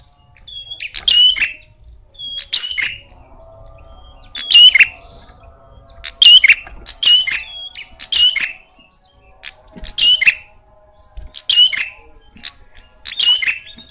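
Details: Loud, aggressive red-headed prinia in fighting style, repeating sharp chirp-and-buzz bursts roughly every one to two seconds, some doubled, each a piercing whistled note with a harsh trill, a low hum faintly underneath.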